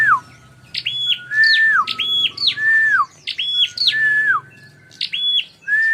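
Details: Bar-winged prinia call used as a lure to provoke fighting: sharp chirps that drop steeply, then flat high notes and longer lower slurred notes falling at the end, repeated in bursts with a faint low hum beneath.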